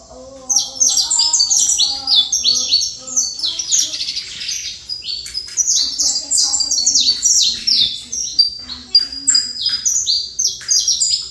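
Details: Saffron finch pouring out an extended, rapid song of sharp, high descending chirps, densely packed and continuous, with faint low tones in the background.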